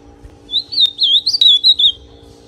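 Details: Ultramarine grosbeak, known as azulão pardo, singing to warm up another male: a short phrase of sweet, slurred whistles wavering up and down, five or six linked notes, with a low steady hum underneath.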